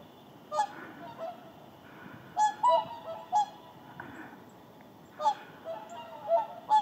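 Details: Flock of whooper swans settling to rest in the Indalsälven delta on southward migration; clustered trumpeting honks, several birds overlapping in quick bursts, then pauses, with constant low background murmur.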